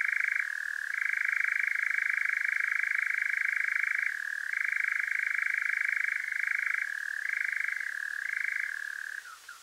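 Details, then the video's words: Nocturnal European nightjar in Devon, UK, recorded at night through a parabolic mic into a Zoom H5. A sustained, purring mechanical churr shifts down in pitch several times, then breaks off near the end with a few short falling notes, leaving quiet. "Powerful Nightjar Churring"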